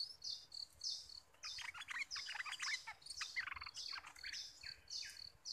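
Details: Bulbul kept as a trapping decoy, newly caught, giving a bubbling run of varied chirps and whistles, mixed with high, buzzy repeated notes in the background.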